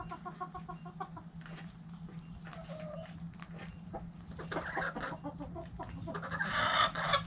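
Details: Chickens in a backyard coop, with quiet rhythmic clucking at first, then scattered calls swelling into a louder, harsh cackle near the end, over a low hum.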